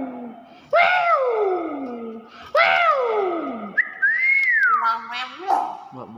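A common hill myna gives loud, rich whistles: two long downward swoops about two seconds apart, then an arched rising-and-falling whistle and short speech-like notes.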